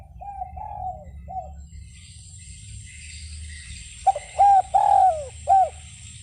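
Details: Spotted dove calling outdoors: a softer cooing phrase at first, then a louder series of short arched coos and a long descending coo, with a steady high hiss and low rumble behind.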